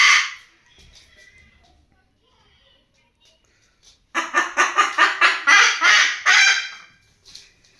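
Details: White cockatoo mimicking a chicken: one short raspy squawk, several seconds of near silence with faint background murmur, then a loud burst of rapid, harsh clucking notes running for about three seconds.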